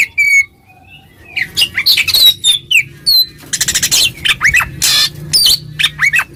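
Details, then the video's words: Oriental magpie-robin, ngeplong song meant to call a rival: a lone clear whistle, a pause, then a busy jumble of rasping bursts, twittering slurs and rising squeaks. "suara burung Kacer NGEPLONG memanggil lawan, lawan EMOSI seketika"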